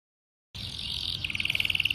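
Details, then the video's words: Canary song used as a master recording for training young canaries to sing quickly, in a special phrasing style: a buzzy high trill, then a fast run of evenly spaced sharp notes after a brief silent start. "MASTERAN KENARI PAUD - cengkok istimewa"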